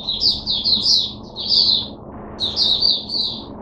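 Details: Caged Oriental white-eye in song, delivering bursts of high, sweet twittering notes in three short phrases separated by brief gaps, with a faint low background hum.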